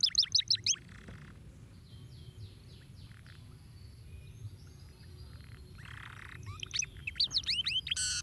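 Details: Canary song played to stimulate other canaries to sing: rapid trills of sharp descending whistled notes opening and closing the passage, with softer buzzy rolls and chirps between, over a low steady hum.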